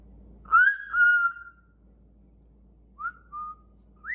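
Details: Pet cockatoo cuddling with its owner gives clear tonal whistles: a bright rising note, then a level held whistle, and later short notes climbing upward, with music faintly behind.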